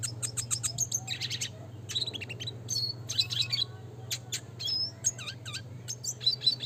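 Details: Red siskin (Spinus cucullatus) singing in the classic gacor nembak ngeroll manner for training: dense, continuous twittering with buzzy trills and repeated downslurred whistles, steady low hum underneath.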